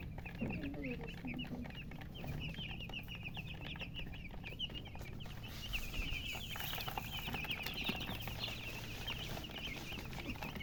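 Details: Many poultry chicks chirping from thirst for drinking water: a continuous dense chorus of short high peeping notes, overlapping throughout, with a steady low hum beneath.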